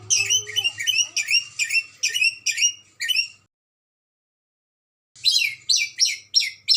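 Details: Very vocal red lory from Ambon calling in a rapid run of about seven shrill, scratchy shrieks, then silence, then another fast burst of piercing notes.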